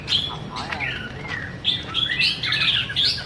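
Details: White-rumped shama in song, dancing as it sings: clear fluting whistles, a few drawn-out and gently wavering, others quick upslurs, linked into a rich melodic phrase.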